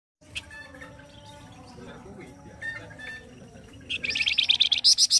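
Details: Flamboyan bird singing loudly and harshly in a gacor kasar style used as a master song for training other birds. Faint chirps and a low background murmur lead into a loud burst of rapid, buzzy, high-pitched repeated notes at the end.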